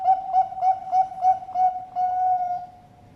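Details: Zebra dove of the Bangkok perkutut type, held at a farm in Sidoarjo, Indonesia, finishing its song. Six bubbling cooed beats come at regular intervals before one prolonged smooth coo fades out, with no other sounds.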